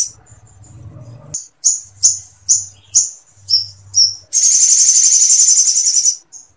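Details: Sooty-headed bulbul singing with long bursts and woodpecker-like material, used to tutor other birds: six sharp, high, downslurred notes about half a second apart, then a long, dense, buzzy trill. A low hum is heard under it.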